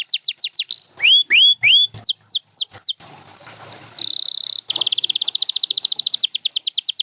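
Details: Singing champion canary delivers downslurred notes and clear rising whistles, a short hushed gap, a buzzy steady tone, then a long fast trill of high repeated notes.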